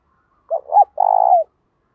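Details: Decoy spotted dove, prized for its fine, well-ordered cooing that gets others calling quickly. A single clean phrase: two brief low hoots, then a longer, trembling coo.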